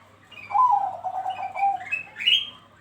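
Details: Bangkok-type zebra dove singing on a lure recording meant to prompt other doves to join in: a fast run of soft stuttering coos followed by two higher, rising whistled notes.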